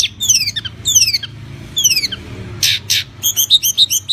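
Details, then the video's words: Singing tledekan gunung, a kept songbird from Java used to set off other birds: several high down-slurred whistles at intervals, two noisy rasping bursts, then a fast regular series of high chirps; low hum underneath. "Burung Tledekan gunung gacor NYENGKLAK cocok untuk mancing bunyi"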